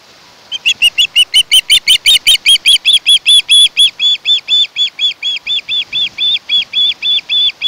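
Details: Osprey at its nest on Kent Island, Maryland, recorded by a nest cam on 1 August 2018: a long, insistent chain of around thirty shrill chirps, very loud at first, then steadier and slightly softer.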